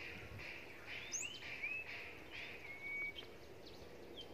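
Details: Common iora singing in the Huýt cô style at Long Thành, Đồng Nai, Vietnam. A run of thin whistles, some rising and some sweeping, ends in a long flat whistled note over steady hiss and murmur.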